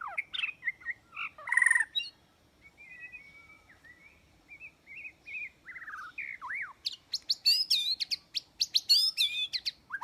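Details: Lure song of a white-rumped shama for trapping, rich and varied: warbled notes and a harsh burst, gentle sliding whistles, then a long fast sequence of high, sharp, repeated ringing notes.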